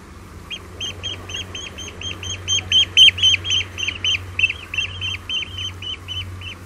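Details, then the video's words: Eurasian oystercatcher alarm calls on Walney Island: a rapid series of loud, shrill piping notes, about four a second, with water lapping, a steady hiss and a low hum. "Oystercatcher. Alarm Calls."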